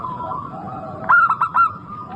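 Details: Lively local zebra dove giving a short, loud run of three or four bubbling coo notes midway, set against faint, steady cooing from other doves.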